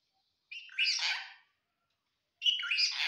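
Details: Assamese-speaking parrot uttering brief words: two raspy, speech-like bursts about two seconds apart in a quiet room.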